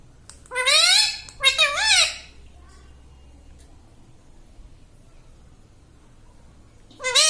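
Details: Pet parrot indoors, said to talk and say "Mummy": two loud, harsh, wavering squawky phrases close together, then about five seconds of near silence, and a final loud squawk starting at the very end.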